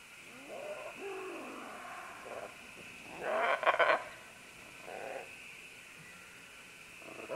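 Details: Several green-winged macaws working their way down vines: quieter croaking squawks, then a loud burst of harsh, stuttering screeches mid-way and scattered rasps after, over a faint high drone.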